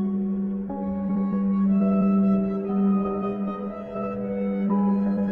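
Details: Sustained flute-like musical tones over a steady hum, with no animal heard.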